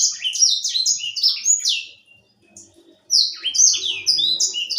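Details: Grey singing finch, a young seed-eating bird from Africa, sings quick chains of bright descending whistled notes, a two-second phrase, a brief silence, then another lively run, over a faint background murmur.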